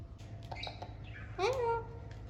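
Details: Alexandrine parakeets talking and playing: a short harmonic squawk that bends up then levels off, preceded by softer chattering notes over a steady low hum.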